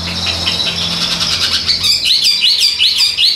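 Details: Chinese hwamei, a tame caged bird that sings when hand-carried, starting with a hissy background, then giving a quick series of looping, rising and falling whistled notes.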